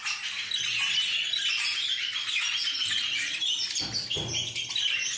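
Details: Parakeet flock calling all at once, a steady wash of scratchy chirps and squawks, with a couple of brief low thumps near the end.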